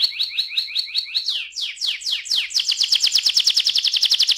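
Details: Canary song played to stimulate other canaries to sing, opening with quick repeated two-tone notes, then sweeping slurs and a fast, even rattling trill.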